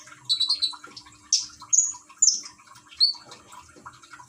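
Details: Caged common iora in Gresik, East Java, with splashing water played to stimulate song; a quick chattering burst then loud high whistled chirps every half second or so, soft gurgling water beneath.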